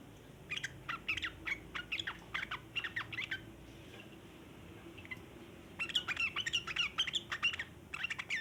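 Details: Sooty-headed bulbul giving long 'ngeriwik' chattering, offered as a lure for wild bulbuls: bursts of harsh, rapid chattering notes in quick clusters, a quieter gap near the middle, then a denser run of scratchy phrases toward the end.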